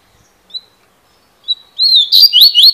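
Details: Double-collared seedeater giving two brief, separate whistled notes, then launching into a quick series of bright, slurred, repeated notes.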